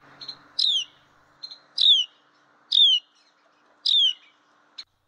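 A Carolina Wren gives four sharp, high, downslurred notes, each about a second apart, with a few faint softer chips between them.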